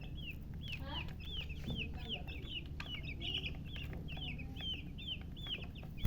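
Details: Just-born chicken chicks chirping loudly: a rapid run of short, arched, high peeps, roughly three to four per second, from several chicks, over a steady low hum and scattered faint clicks.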